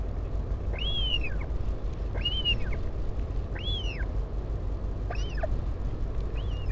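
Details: A parent visits its chick at a northern royal albatross colony on Taiaroa Head, near Dunedin, New Zealand, 16 July 2019. Five clear arching whistles rise and drop, spaced about 1.4 seconds apart, over constant low wind-like noise.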